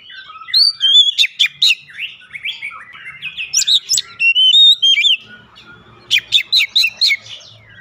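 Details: Oriental magpie-robin song used as a lure to prompt another bird to sing: varied whistled phrases with sharp rising and falling notes, rapid clicking bursts and trills in loud clusters separated by short pauses.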